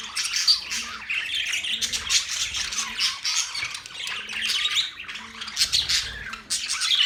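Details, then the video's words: Budgerigar chirping: a steady, high-pitched babble of twitters, squeaks and harsh squawks from many overlapping voices, rising in brief louder bursts every second or so. "Budgies sounds"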